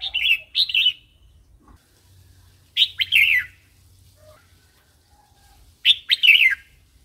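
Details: Red-whiskered bulbul wild song used to train young and newly caught birds: brief phrases of two to four liquid, chattering notes, spaced a few seconds apart, with faint low background hum.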